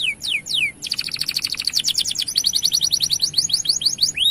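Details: Long, lively gacor-style canary song, used to get male canaries into breeding condition and singing: a few high downslurred whistles, then rapid pulsed trills near the top of the range, repeated in quick tours of sharp descending notes.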